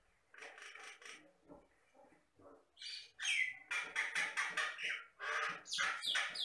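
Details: Common myna (jalak Batam) from the lowland Riau Islands, a mimic of many sounds, singing energetically: a rapid run of varied harsh chirps and buzzy notes, quieter at first, then louder, denser bursts with short whistled slides.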